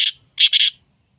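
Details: Black francolin, Sindhi type, calling: a short rasping note followed by a hoarse, grating double note, dry and scratchy, with nothing else audible behind it.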